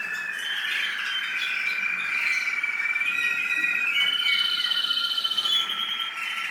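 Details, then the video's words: In the UAE, an American singer canary sings a buzzy rapid trill that climbs in steps to a higher sustained whistle, the notes pulsing quickly before the phrase fades at the end. "American Singer Canary"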